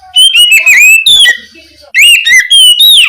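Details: Night-time ngeplong song of an Oriental magpie-robin, played as a lure to make young spotted birds sing back; two loud phrases of clear slurred whistles, sharp chips and quick trills separated by a brief pause.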